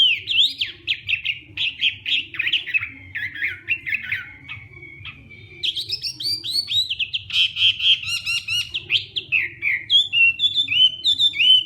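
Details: Hwamei competition song during morning voice training: fast runs of sharp, choppy notes, a brief quieter pause, then vigorous rich warbling, rapid trills and bright whistled phrases, over a low hum.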